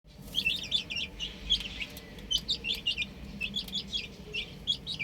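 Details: Chicks playing on a roof give quick high peeps in short clustered bursts, several overlapping, over a low steady background hum.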